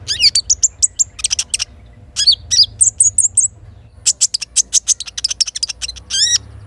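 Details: Morning little spiderhunter song by a forest river: clusters of sharp, very high chips and short upslurred whistles in rapid bursts separated by brief pauses, with steady low water noise underneath.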